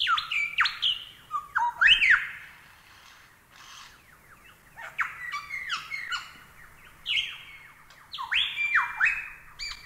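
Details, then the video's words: Lyrebird song as a tutor recording: a dense, varied string of whistles, clicks and sweeping slurs, loud in the first seconds, softer chatter in the middle, then energetic swooping notes again. "Masteran Burung Lyrebird SUARA EPIC!"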